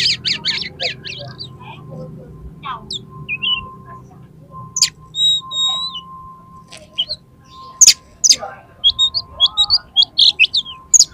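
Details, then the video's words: Highly aroused oriental magpie-robin singing in fighting mood to provoke others: fast scratchy chatter, sliding whistles and a rapid run of sharp repeated high notes near the end, a steady faint tone in the background. "KACER TARUNG EMOSI TINGGI !!! PASTI LANGSUNG BUKA EKOR KACER MANAPAUN MENDENGAR INI"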